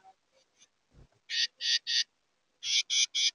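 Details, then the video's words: Carolina wren at a bird feeder camera gives harsh raspy notes in two bursts of three, about four per second, after a few soft chips and a dull thump. "Carolina Wren"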